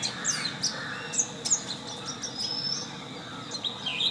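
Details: Long-tailed shrike chirping: bright, sharp high notes, some dropping in pitch, given in quick pairs early on, then a thinner drawn-out note and a final chirp, over light hiss.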